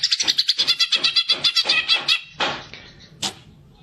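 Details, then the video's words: Greater green leafbird in fighting song to stir other birds, young or trainee, to sing: a quick, even series of about twenty buzzy, nasal notes, followed by two isolated harsh calls. "cucak ijo gacor figter cocak untuk pancingan burung bahan ombyokan atau muda"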